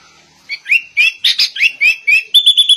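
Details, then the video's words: Sooty-headed bulbul song imitating white-rumped shama, a quick series of upswept whistled notes, about three per second, ending in a run of short, higher, flat piping notes; quiet background. "Kutilang Rasa Murai Batu"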